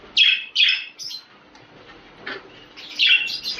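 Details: Budgerigar sound used to encourage mating: a few loud, squeaky chirps in quick pairs, a soft pause, then another burst of twittering notes near the end.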